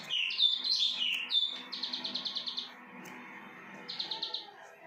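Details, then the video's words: Plain prinia giving a few sharp, twangy opening notes, then two short bursts of rapid buzzy high pulses separated by a quiet gap, against a soft background hum. "CIBLEK SAWAH BRENN"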